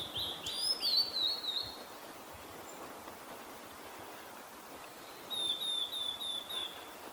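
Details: A male Blue-and-white flycatcher in northern Harima, Hyogo, Japan, reacting to a female calling nearby, sings two high, warbled phrases with quick wavering notes, separated by a few seconds of steady background hiss.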